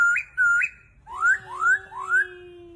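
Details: Chinese hwamei song: two level whistles that flick upward, then three ringing upslurred whistles, one roughly every half second, above a faint steady low tone.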